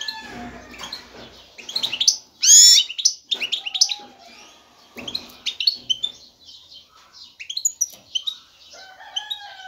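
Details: Male goldfinch, ready to mate, singing forcefully to court a female and prompt nest building; a rapid, continuous stream of twittering, chirping and trilled notes with one loud, harsh burst early on.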